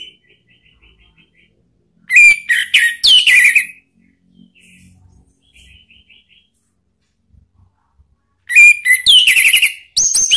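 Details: Orange-headed thrush song played as a lure so a kept bird answers: faint soft ticking notes, then loud bursts of mixed whistles, slides and harsh rasps, repeated after a quiet interval.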